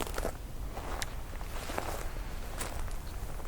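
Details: Crunching footsteps and crackles over low rumbling background noise, with no animal voice present.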